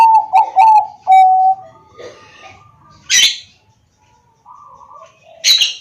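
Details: Zebra dove of the Bangkok type, recorded by phone in Wiradesa, Central Java, singing to stimulate silent doves: two clipped notes and a long coo open the clip, then quieter notes and two sharp hissing bursts.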